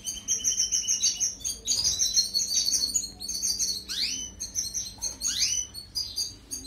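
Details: European goldfinch singing, used as a training recording for canaries: a lively, rhythmic twitter of high chirps broken by sharp, down-slurred notes, with a faint steady hum underneath.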